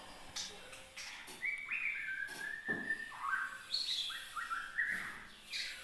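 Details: Oriental magpie-robin youngster starting to find its voice, giving scattered clear whistles and quick slurred chirps in irregular phrases, some notes rising sharply, others sliding down, with faint clicks and background hiss.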